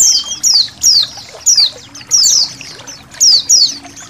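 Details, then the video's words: A colony of white-eyes used as training audio for songbirds, with trickling water; high, thin descending chirps come in quick bursts about every half second over a steady babble of running water. "MASTERAN BURUNG PLECI KOLONI"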